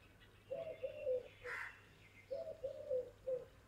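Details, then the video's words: Male Eurasian collared dove singing at about 6 am on 8 July 2017 at a home in Bayad, Gujarat, India, one of a pair: a low, hollow, soft three-note cooing phrase given twice, with a brief rustle between. "song of male euracian collared dove"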